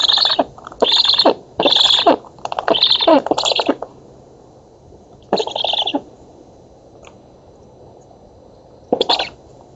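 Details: Black stork nestlings in a nest on an oak in Poland, 11 August 2017, during feeding, captured by a nest camera: harsh rasping begging bursts repeated in quick succession, then pauses with a few further rasps.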